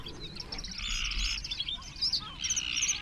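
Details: Great crested grebes at their nests, among about twenty nesting close together, 21 June 2024; harsh, grating, drawn-out calls come in two bursts about a second apart, over softer chatter from other birds.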